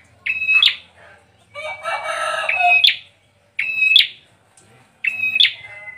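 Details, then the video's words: Bar-winged prinia singing high, bright phrases: a steady trilled note ending in a sharp upward flick, repeated about every one and a half seconds. "Kicauan burung peranjak atau juga di sebut burung ciblek"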